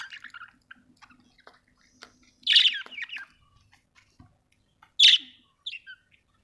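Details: Budgerigar giving two loud, harsh chirp bursts a couple of seconds apart among faint ticking sounds and near silence, then a softer short squeak.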